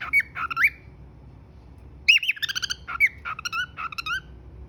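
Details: A cockatiel kept as a pet gives cheerful whistles: swooping, slurred notes, then a rapid stutter of short chirps and a few looping whistled phrases.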